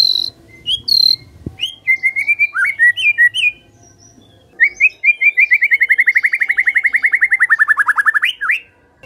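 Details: A white-rumped shama (murai batu), played as a lure to get other shamas singing, sings rich, varied whistled phrases, then a rapid trill of about thirty notes that drops in pitch and ends with an upward flick.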